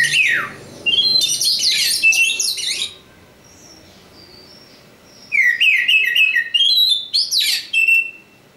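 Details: Oriental magpie-robin, a local kacer from East Java, sings loud rich phrases of whistles, slurred downward notes and scratchy trills, then pauses several seconds before another varied burst of sweeping whistles.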